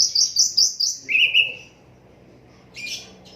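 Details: Asian brown flycatcher singing in an unedited recording meant for tutoring songbirds: a rapid run of very high thin chirps, then a lower wavering trill, a silence, and a brief buzzy burst.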